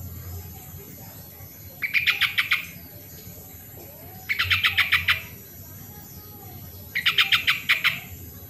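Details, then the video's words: Sooty-headed bulbul singing, meant as a lure for birds slow to sing: three strong phrases of about eight rapid, buzzy pulses each, repeated roughly every two and a half seconds. "suara original burung trucuk pancingan trucukan yang malas bunyi"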